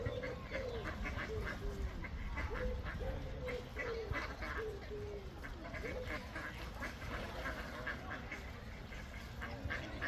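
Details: Ducks quacking in a group: harsh, nasal mid-pitched quacks tumbling out fast and irregularly, several birds overlapping, over a steady low rumble of background noise.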